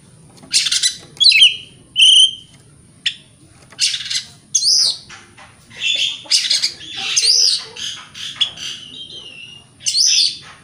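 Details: Lure song of a white-rumped shama meant to provoke other shamas into singing: varied loud bursts of whistles, chattering notes and rich warbles, phrases coming every second or so with short pauses between.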